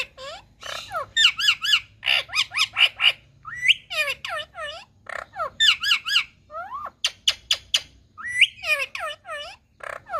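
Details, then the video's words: Green Indian ringneck kept as a pet in India, a talking parrot, chattering continuously for ten seconds in mixed wavering squawks, rapid stuttered bursts and rising glides, loud and close. "Ringneck Green Parrots 🥀 l Talking parrot☺️"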